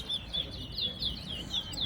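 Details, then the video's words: Towa towa, the Chestnut-bellied seed finch, in a Soesdyke, Guyana song competition: clear whistled notes repeated about four times a second, each slurring upward then down, over soft background noise. "TOWA TOWA BIRD COMPETITION AT SOESDYKE GUYANA"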